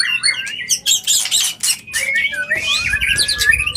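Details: White-rumped shama mating call for triggering breeding readiness: rising whistled slurs over loud bursts of harsh noisy chatter, ending in a thin flat whistle with trilled notes.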